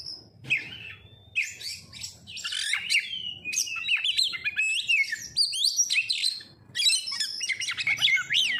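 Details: Pancingan lure song of the oriental magpie-robin, or kacer: a soft opening whistle, then dense, lively streams of sweet whistles, twisting slurs and chattering phrases almost without a break.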